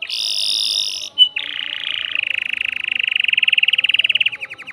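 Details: Male canary, caged and agitated, singing to stimulate a female for mating: a long buzzy high tone, a brief pause, then a steady trill that turns into fast repeated notes which grow louder and more distinct toward the end.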